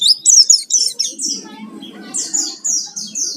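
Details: Lure song of a vigorous Oriental white-eye meant to provoke singing: quick sharp high chirps, then a run of evenly spaced descending sweet notes about every quarter second, over a soft low murmur.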